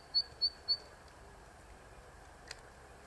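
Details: Zitting cisticola perched on an electric wire, first song of the season: three clipped, high-pitched 'zit' notes evenly spaced about a quarter second apart, then near silence with one faint click.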